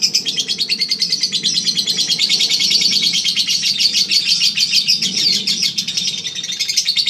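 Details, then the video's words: Champion contest lovebird of the Eagle Head line delivering ngekek song, a continuous shrill rattling chatter of fast repeated notes, steady and loud throughout, faint low hum beneath. "Ngekek 1 menit up"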